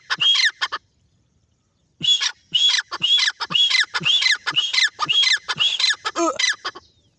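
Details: Loud, hoarse francolin calls in a rapid repeated series, a burst, then a pause of about a second, then a long run of ringing, grating notes roughly twice a second, ending in lower rasping notes.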